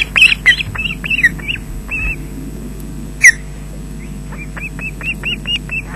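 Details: Webcam sound from a Loch Garten, Scotland osprey nest on 20 June 2012, adult bringing fish to the chicks: a burst of high, arched whistled yelps, a lone loud squeal, then a softer string of similar chirps.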